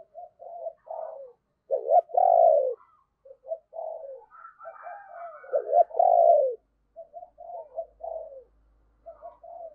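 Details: Spotted dove acting as a decoy at morning to lure wild doves, repeating low, throaty coo phrases with a long loud peak note roughly every four seconds, soft chirps from another bird audible in between.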